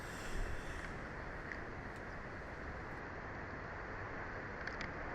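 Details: Even hiss and low rumble of background noise with a few soft clicks and ticks, and no calls.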